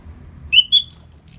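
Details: Orange-headed thrush song, played to stir a bird after moulting into more aggressive form: a short burst of high whistled notes, the first rising sharply, then thin sweeping whistles, with a low steady hum beneath.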